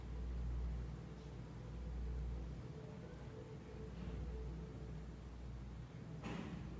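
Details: Low, steady engine rumble with swelling hum and a brief sharp knock near the end; no animal voice is heard.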